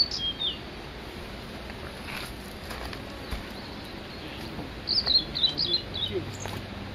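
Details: On Mount Migita-ga-take, a male blue-and-white flycatcher performing at length sings a brief burst of high, clear whistled notes tumbling over a second or so, after a faint opening phrase, with hushed voices and rustling.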